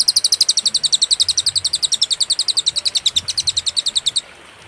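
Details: Cililin singing on a songbird-training master recording, noted as clear with pauses: a long, unbroken train of high, piercing chip notes, steady and rapid, for about four seconds, ending in silence.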